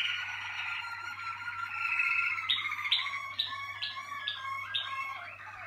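Malinois Waterslager canary singing a rich, rolling warble that breaks into quick repeated bubbling tours of mid-pitched notes, over a faint low electrical hum.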